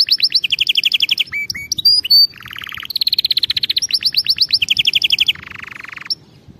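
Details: Canary singing a training song for teaching canaries correct singing. Rapid high trills alternate with swooping whistled notes and a lower buzzy rolling passage. The phrases switch about every second in a varied, continuous performance.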